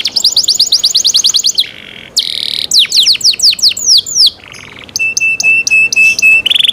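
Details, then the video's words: Varied cenkok-style canary song with rapid clipped trills, a short low buzz, bursts of broad buzzy notes, and descending whistles, ending with evenly spaced ringing chip notes. "LUXURY CENKOK CANARI SOUND, CLEAR SOUND"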